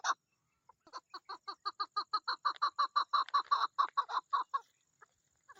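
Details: Chukar partridge hen in mating season: one loud opening note, then a run of chuk notes that builds from soft to loud, peaks, and fades into a few scattered final calls.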